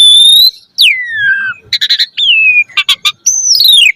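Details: Asian pied starling song in full, rich-repertoire form, used as a lure to train other starlings' repertoire: loud clear whistles, a long falling whistled slide, buzzy harmonic bursts and a rising-then-falling whistle, with no other sounds.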